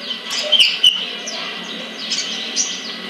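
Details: Captive sunbird from a bird collection in Kebagusan, Pemalang, Central Java, Indonesia, giving rapid high-pitched chirps and thin twittering notes, with a few sharp accented tweets near the start over a steady hiss.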